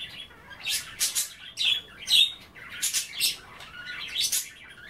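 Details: Caged budgies nibbling kale at bath time produce scratchy chattering, with grating squawk-like notes and bright chirps in clusters and short gaps between.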